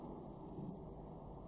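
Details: Eurasian blue tit (Cyanistes caeruleus) in a garden in Weener, East Frisia, northwest Germany, in March 2024, giving a brief, very high, thin call of a few slurred notes lasting half a second, over low steady rumble.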